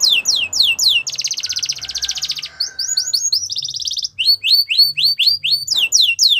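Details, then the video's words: Yorkshire canary song meant for training young birds, with sweeping whistled notes, a long buzzy rapid trill in the middle, then quick repeated rising chirps. "Canaries Singing For Training | Yorkshire Canary"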